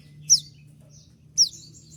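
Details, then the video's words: Konin master song in the 'tembakan' style: a pair of high, sharply descending whistled shots about a second apart, with a faint twitter between them. "dengan suara tembakan seperti ini pasti bikin kelas kicau koninmu melecit tinggi"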